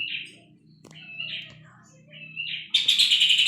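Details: Puff-throated babbler, recorded as tutor material for training songbirds: short whistled notes rising and falling near the middle of the range, then a sudden loud, harsh, buzzy rattle with rapid pulses at the end; faint low hum underneath.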